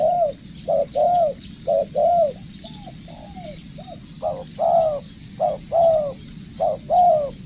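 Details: Decoy-trained spotted dove giving low, hollow coos in short-long pairs, slightly irregular with a few softer notes midway, against faint high-pitched chirps and steady background hiss.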